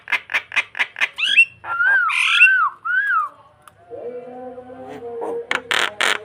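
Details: Starling song aimed at drawing another bird: a quick run of harsh clipped notes, then loud, slurred, downward whistles, a sustained buzzy tone and closing rasping bursts.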